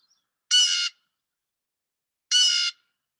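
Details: Blue jay (Cyanocitta cristata), jay call.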